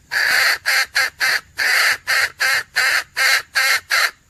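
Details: Female red junglefowl call used as a hunting lure: a run of harsh, broadband clucking notes, about ten in four seconds, evenly spaced with short gaps.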